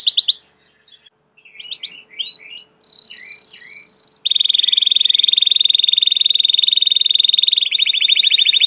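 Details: Belgian canary song of short chirps and slurred notes, then a steady whistled tone, followed by a long, very rapid, even rolled trill lasting several seconds.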